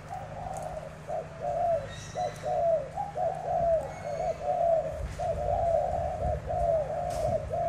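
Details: Spotted dove of Tra Vinh, Vietnam, a contest bird known for many coos, matched against a wild-caught rival; mellow, rounded coos repeated about once a second in linked phrases, with a low background hum.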